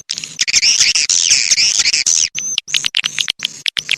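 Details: A rainy-season swiftlet chorus: a sustained high, buzzy twitter with rising and falling notes, then clipped chirps and clicks coming quickly one after another.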